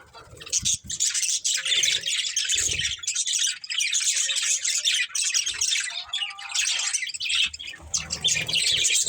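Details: Budgerigars, a pet breeding pair, chatter continuously in a dense, scratchy, high warble with brief squawks and a few faint lower whistled notes underneath.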